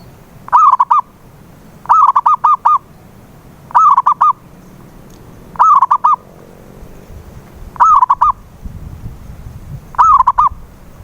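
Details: Local zebra dove (perkutut) cooing, used as a lure to get a silent dove singing: six short phrases about two seconds apart, each a bright rising coo followed by quick stuttered notes, over faint low background hum.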